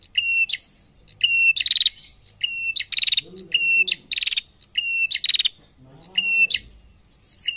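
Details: Female prinia calling actively to males: repeated high whistles, each joined to a buzzy, crackling trill, about eight bursts in quick succession, with low murmuring sounds underneath at times.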